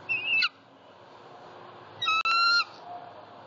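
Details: On a southwest Florida nest in late November 2019, a female bald eagle screams while claiming an opossum-tail snack from her mate, captured on nest cam. A brief higher squeal, a pause, then one sustained level strident scream.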